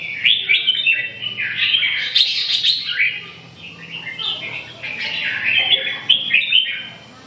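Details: Red-whiskered bulbul in lively continuous song, rapid chirpy warbling phrases sliding up and down, dense and loud with scarcely a pause.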